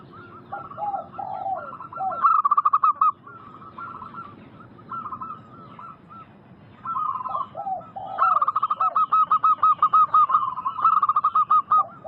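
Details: Local zebra doves sing in a recording used as a lure to make wild doves answer. Lower gurgling coos lead into bursts of rapid, evenly pulsed cooing notes, with two or more phrases overlapping.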